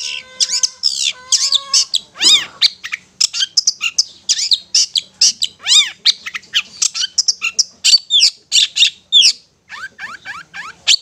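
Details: Long-tailed shrike ngetet song used as therapy for stressed, silent shrikes: a long, hurried stream of varied chips, down-slurred whistles and buzzy notes with barely any gaps.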